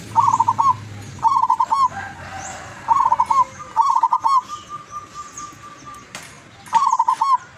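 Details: Wild-caught local zebra dove from Tuban, East Java, giving its long melodious song: a rapid string of bubbly trilled coos ending in a drawn-out note, repeated five times across the clip, with faint chirps of other birds and a thin whistle in the background.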